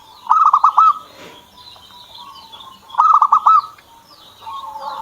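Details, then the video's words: Kept zebra dove (perkutut) singing: two bursts of rapid, pulsed cooing notes about two and a half seconds apart. Faint chirps from other birds can be heard between the phrases. "PERKUTUT SAYA JADI MAU BUNYI"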